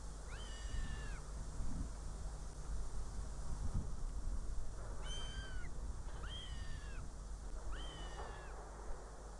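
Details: Northern goshawk female at a nest in Riga, Latvia, 19 June 2017 around 14:59, bringing prey and then leaving her chick: four drawn-out, arched wailing calls, one alone then three close together, over a steady low rumble.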